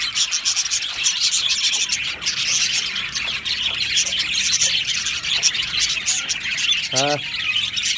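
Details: Aviary full of Australian budgies, a continuous high chirping and warbling chorus; near the end one lower, harsh stacked call sounds briefly above the steady twitter of the colony.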